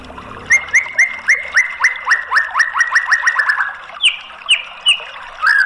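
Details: Used to prompt a silent White-rumped shama to sing: a rhythmic string of short, downward-slurred whistled notes that quickens, then a few higher swept notes.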